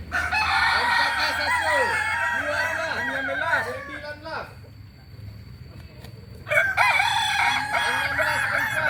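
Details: Kokok Balenggek rooster, Solok, West Sumatra, Indonesia, delivering long chains of rapid arched crow syllables, a quieter pause in the middle, then another loud tiered crow.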